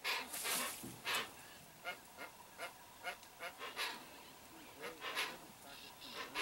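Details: Wild Hoatzin, parents with their chick, in riverside wetland, recorded from inside a boat: harsh, hoarse honking bursts in a rapid irregular series, some wheezy and broad, about two or three per second, with quiet background.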